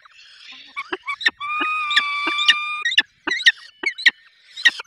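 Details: Falcons at their nest in the Barycz Valley during feeding: a steady, harmonic whine held for over a second, set among rapid, sharp chips and squeals repeated roughly every half second.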